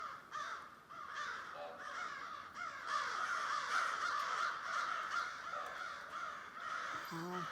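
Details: Thousands of crows in a large flock, calling together: a dense, continuous chorus of harsh, overlapping caws with no pauses, and a person's voice briefly heard near the end.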